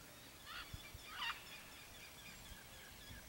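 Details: Red-and-green macaw, called Arara-vermelha, visiting riparian forest in Brazil in search of fruits and seeds: two short grating squawks about half a second apart, with faint background birdsong and occasional low thumps.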